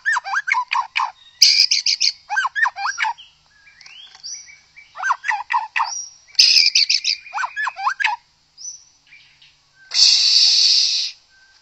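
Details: White-rumped shama, described as a wild forest bird, played to provoke singing in other shamas; clusters of quick chattering notes alternate with brief whistles and bursts of loud rattling, ending in a harsh noisy buzz.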